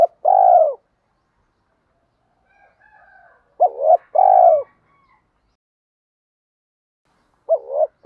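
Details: Spotted dove cooing meant to stir up males for decoy training: a long purring coo, a pause with faint soft notes, then a short double coo and another drawn-out throaty note, with a further phrase starting at the end.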